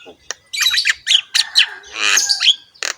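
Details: A harsh, gravelly outburst from a Javan myna singing in rough voice with head-bobbing, packed with grating squawks and brief whistles strung closely together.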